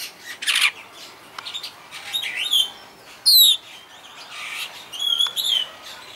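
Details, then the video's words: A captive superb starling (Spreo superbus) at Vogelpark Walsrode, Germany, sings a varied run of high chattering notes, buzzy bursts and clear whistled phrases, some sliding down in pitch, with short pauses between. "superb starling sings"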